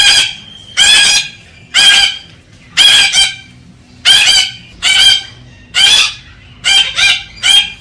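A galah gives about ten loud, harsh screeching calls, some in quick doubles, roughly one each second, in courtship of a female.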